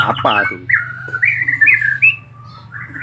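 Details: Collared kingfisher chicks begging: a harsh squawk at the start, then drawn-out, wavering whistled tones that rise and fall, with brief higher notes in between.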